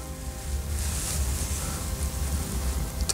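A low rumbling hum with some faint hiss and a brief click near the end; no animal call stands out.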